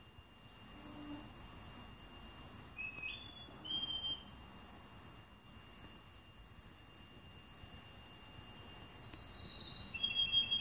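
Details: Canary hatched 15 March 2018, bred in Anapa, Russia, recorded 25 October 2018. It sings slow, pure whistled notes, each held for a second or more and shifting between pitches, with a steady faint tone and hiss beneath.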